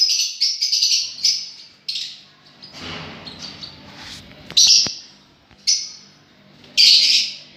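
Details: Rapid volleys of shrill chirps from lovebirds, said to be enjoying themselves, open the recording; a stretch of rustling and soft thumps follows, then isolated sharp squeals return.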